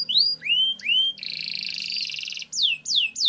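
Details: Canary singing a long roll as a lure to train other canaries: rising whistled slurs, then a dense rapid trill lasting over a second, followed by three quick falling swept notes.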